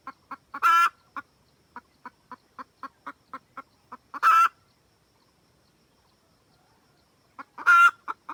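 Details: Hen red junglefowl cackling to summon the rooster, recorded as a decoy sound: quick clucks between three loud, rasping squawks, with a brief silent pause near the end.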